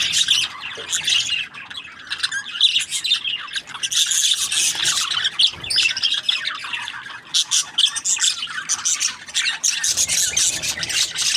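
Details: Budgerigars chirping: a dense, continuous chatter of squawks, buzzy notes and short warbles packed together at a high pitch, with brief dips in loudness but no pause across the whole stretch.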